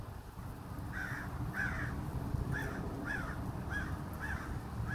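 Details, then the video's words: Unusual chittering from a crow in Minnesota, a run of seven short hoarse arching notes, about one every 0.6 seconds, with a low continuous rumble underneath. "Crow makes strange chittering noises."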